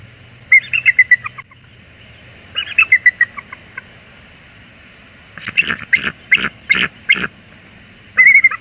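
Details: A bald eagle pair at Port Tobacco, USA, on 14 January 2021 gives a loud greeting, trading high, thin piping chatters in four bursts of quick staccato notes over a faint low hum, before the male flies off to fetch a gift.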